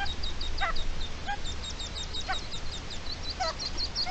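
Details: Red-legged partridge calling to protect its chicks, recorded 29 May 2023: coarse, wavering notes about one per second, beneath a busy chorus of high, thin peeps.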